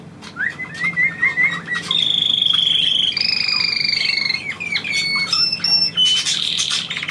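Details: Pet bird trilling at its owner's command. A string of short rising whistles gives way to long steady trills at two pitch levels, then to scattered high whistles and a final buzzy rattle.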